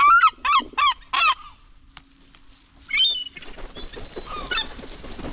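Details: A gull among a feeding crowd competing for food gives four loud, hoarse, evenly spaced laughing notes, followed after a lull by scattered higher squeals from other gulls.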